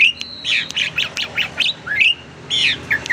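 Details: Caged Asian pied starling from a private collection, singing a varied lure song used to provoke other birds: a run of short harsh chattering notes, a sustained whistle, then rising slurred whistles and buzzy phrases.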